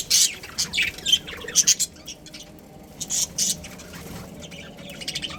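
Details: Pet budgerigars of a breeding pair giving scattered short, high chirps and squeaky notes, separated by quieter gaps with faint background chatter.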